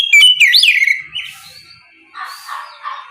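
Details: Oriental magpie-robin singing in the morning in the loud ngeplong style, used to prompt other magpie-robins to answer; a burst of high, bright whistled notes with sweeping slurs, then quieter, softer warbled phrases.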